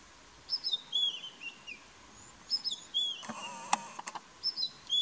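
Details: Brown-headed Parrot feeding in Kruger National Park gives short, shrill, squeaky chirps in loose bursts about every two seconds; brief clicks and crunching sounds break in midway, over a faint outdoor background.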